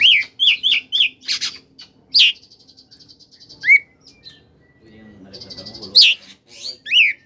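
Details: Koslet-style oriental magpie-robin song meant to draw out lazy-singing birds. It opens with four quick repeated whistled notes, then a buzzy rattle, sharp upslurs and a faint low murmur near the end.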